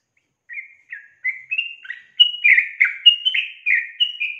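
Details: Female sooty-headed bulbul calling to lure a male into singing; a series of short whistled and slurred notes, rising then clustered and bubbly, about ten notes in four seconds.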